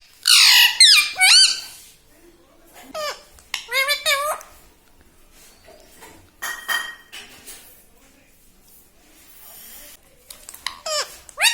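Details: Pet parrot talking at home, its phrases said to include "mummy", "mithu", "papa" and "radhe radhe"; high, nasal, bending syllables come in quick bursts between pauses, with clinking dishes and cutlery nearby.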